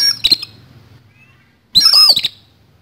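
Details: Oriental magpie-robin singing a rough fighting song: a short scratchy burst, a faint thin whistle, then a louder phrase of bright whistles mixed with buzzy, grating notes; faint low hum in the background.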